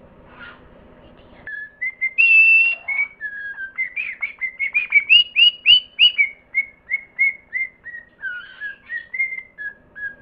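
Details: Parrot singing a long whistled melody: sliding clear notes followed by a fast run of short rising whistles, then gentler falling whistled phrases.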